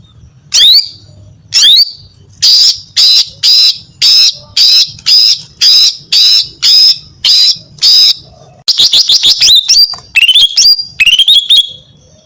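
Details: Female greater green leafbird in loud song meant to attract males: a long run of harsh, buzzy, evenly spaced notes roughly twice a second, breaking into a rapid chattering burst and slurred whistles at the end.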